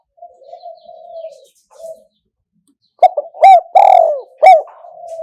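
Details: Spotted dove calling kuk hoi, karom pa: low, soft level hums, a pause, then a loud phrase of short coos, a long downward-sliding coo and a falling final coo, trailing into a faint hum.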